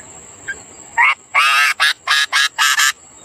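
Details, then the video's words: Sooty-headed bulbul parent feeding its young; a rapid series of harsh, buzzy begging bursts, six to seven short noisy notes in quick succession, over a steady high electronic whine. "induk burung kutilang memberi makan anaknya"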